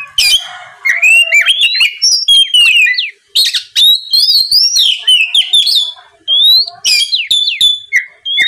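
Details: Lure song of an oriental magpie-robin meant to make rival birds sing back: rich, rapid whistled phrases with sharp clicks and upward slurs, delivered in loud bursts separated by brief pauses.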